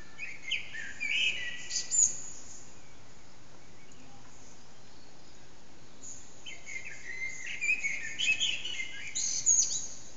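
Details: Eurasian blackbird giving its morning song near 4:30am from an echoing backyard, bird out of sight, phone recording: a warbled whistled phrase with high twitter, a four-second pause, then a longer fluting phrase with squeaky flourishes.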